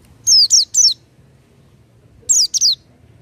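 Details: An oriental white-eye sings vigorously with open beak: very high, thin, sharply falling notes in a quick burst of three, a pause, then two more, over a faint low hum.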